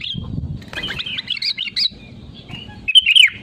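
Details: Sooty-headed bulbul (kutilang) song used as a lure for other birds: a short whistle, a jumble of quick chirps, then a loud bubbling phrase at the end, low rumble beneath.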